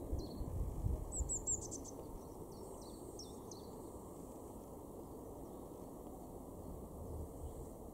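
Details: A Eurasian blue tit in a garden in Weener, East Frisia, far northwestern Germany, in April 2022, gives a quick burst of very high, thin, slurred notes, then scattered faint ones, over steady low wind or traffic rumble.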